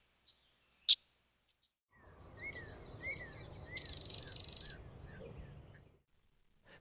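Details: Male Common Yellowthroat (Geothlypis trichas), a wood warbler of tallgrass prairies and open marshes, sings its quick repeated 'witchety' phrase about twice a second in summer, with a brief buzzy burst midway and a sharp click before.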